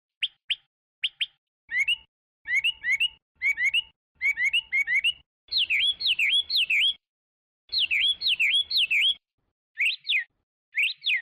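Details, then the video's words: Chinese hwamei singing: clipped paired whistles, then rising-falling looped notes repeated in bursts, ending in loud swooping whistled phrases with short pauses between, and a faint low hum beneath. "تغريد طائر الخوامي Chinese Hwamei"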